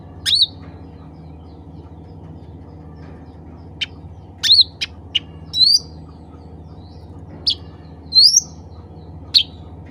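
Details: Cucak ranting (black-capped bulbul) calling to others of its kind: scattered short, sharp chirps with quick upward inflections, spaced irregularly a second or more apart, over a steady low hum.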